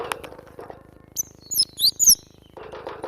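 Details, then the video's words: Brief cinereous tit phrase: a few high, sliding whistles in a row, framed by low rustling and scraping. "Full gacor masteran ampuh burung glatik batu"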